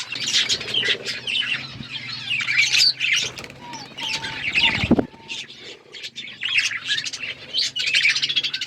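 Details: Budgies feeding on seeds, chattering in high scratchy twitters and squawks, with a low steady hum underneath and a short thump near the middle.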